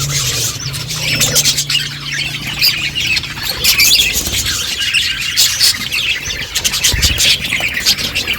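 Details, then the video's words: Several pet budgerigars eating seed while chirping: dense, continuous high warbling chatter with sharp clicks, a low steady hum underneath. "Beautiful budgies colour eating and chirping sounds"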